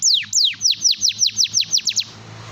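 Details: Brief canary song used to prompt silent canaries: about ten high, sharply falling whistled sweeps in quick succession, growing shorter and closer together, then stopping, with a low hum beneath.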